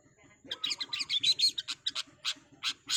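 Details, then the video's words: Long-tailed shrike (cendet) in fast, energetic 'super speed' training song: rapid bursts of harsh, scratchy high notes, dense at first, then spaced strokes, over a steady low rhythmic ticking in the background. "Cendet Super Speed, kuat kaya werkudoro oreo masteran burung kicau gacor dor rool speed"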